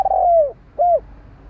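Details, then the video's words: Short fragment of a spotted dove phrase: a long coo gliding downward, followed by one short rounded coo. "Chim cu gáy gọi"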